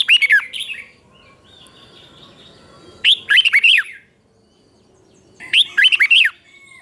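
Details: Red-whiskered bulbul teacher song in the doubled style, used to train caged birds to copy it. Three separate bursts of fast, bubbling, slurred whistles, each under a second, are spaced by quiet pauses of about two seconds.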